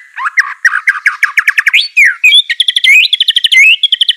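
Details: Lively white-rumped shama song to spur a lazy bird: quick repeated chirps climbing in pitch, then a higher run of rapid bright whistled notes.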